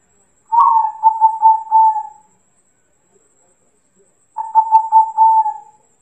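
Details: Local zebra dove song used as bait to provoke an answering bird: two mellow cooing phrases about four seconds apart, each a stuttering run of short notes that settles into a drawn-out level coo, with silence between.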